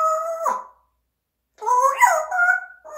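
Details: Pet parrot calling indoors: a steady harmonic cry that breaks and drops at the end, a pause, then a longer wavering call that rises and falls in pitch before it levels off.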